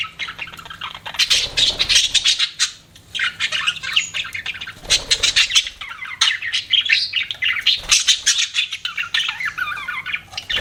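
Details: Pet budgerigars chirping: a dense, continuous chatter of warbled, squeaky notes and short squawks, several birds overlapping with brief pauses around the second and fifth seconds.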